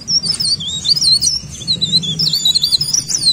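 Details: Rapid, high-pitched warbling of a leaf warbler, continuous looping notes with no pause.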